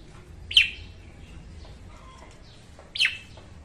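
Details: A female red-whiskered bulbul calls in the morning, a recording played to train birds and lure them to traps: two short, emphatic downslurred whistles about two and a half seconds apart over low background noise.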